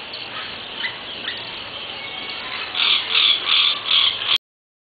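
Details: A Yellow-rumped Cacique (Cacicus cela) gives a few faint chirps, then four loud, harsh, squawking notes in quick succession before cutting off.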